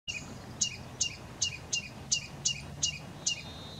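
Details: Ruby-crowned Kinglet at Sitka, Alaska: a run of eight high, thin, sharp notes, each about half a second apart, over a low rumble of background noise.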